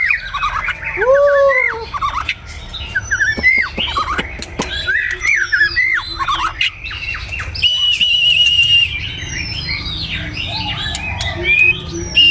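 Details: Morning song of a white-rumped shama in Vietnam: deep arched whistles give way to a busy run of slurred notes, sharp clicks and a sustained high whistle mid-way.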